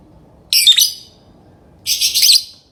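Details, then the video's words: Two harsh, shrill chattering bursts from a lovebird, each lasting under half a second, spaced over a second apart in a quiet setting. "Love bird singing & chirping sounds"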